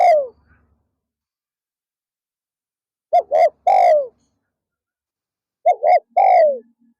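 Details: Decoy spotted dove calling in the afternoon to draw in wild doves. Two phrases of two quick low coos are each followed by a long falling note, with a trailing note at the start. Nothing else is audible.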